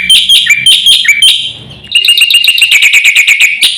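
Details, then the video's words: Javan white starling recorded as master song to provoke birds: loud harsh repeated notes, a brief pause, then an accelerating run of sharp, chattering notes. "suara masteran jalak putih gacor full isian"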